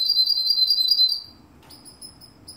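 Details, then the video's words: Russian canary from Kuwait: a fast, pure whistled trill of evenly pulsed high notes lasting over a second, then a pause and softer, spaced higher notes. "Russian canary"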